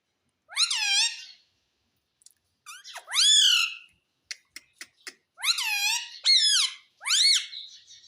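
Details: Indoor pet parrot, a talker, giving shrill arched squawks with falling tails, separated by a few sharp clicks, then several more ringing screeches in close succession.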